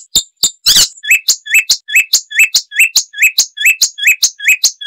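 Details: Icterine warbler singing, a species known for loud, varied chatter and mimicry: after a few harsh notes, a short upslurred whistle is repeated steadily about three times per second, each with a sharp high tick.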